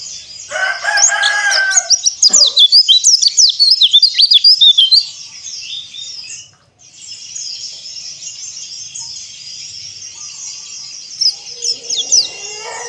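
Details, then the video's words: White-eye song, aimed at getting silent birds singing: five seconds of fast, high, twittering slurred notes, alongside a lower harsh harmonic call at the start, then a steady hiss with scattered faint chirps and another low rasping call near the end. "PLECI DAKBAL"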